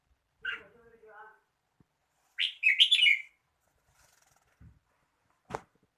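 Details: Red-whiskered bulbul song: a single loud, rich warbling phrase at mid-clip, preceded by a short chirp and faint voice-like sounds, with a sharp click near the end.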